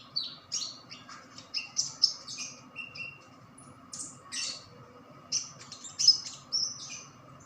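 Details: Newly caught white-eye, two days after capture, in full song: bursts of sharp, high, twittering notes in short clusters separated by brief pauses, with a faint steady background hum.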